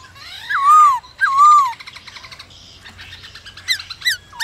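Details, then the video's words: Black-throated laughingthrush song, used to stir other birds into singing: two loud slurred whistles dipping and rising, then scattered softer notes and sharp high upswept chirps near the end. "Khướu bạc má hót kích bổi căng lửa hót cực sung"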